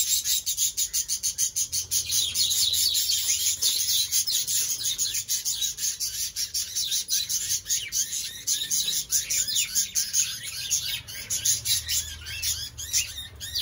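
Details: Budgerigars (Melopsittacus undulatus) inside a cage chatter nonstop in a busy, high-pitched stream of rapid chirps and warbles.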